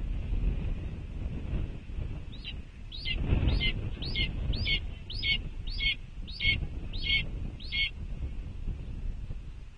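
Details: At a red-tailed hawk nest at Cornell on 06.05.2021, afternoon: a run of about ten short, high, sharply inflected notes, roughly two a second, over strong wind rumble.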